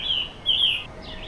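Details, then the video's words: Perched in a tree, a scarlet tanager delivers two short, hoarse, slurred phrases, each sweeping up and down, with light background hiss. "A scarlet tanager is sitting on a tree with an original chirping sound."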